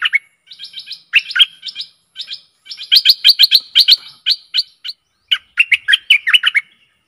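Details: Stripe-throated bulbul lure call for aggressive wild birds: fast chattering series of sharp clipped notes mixed with warbled phrases, delivered in quick bursts without pause.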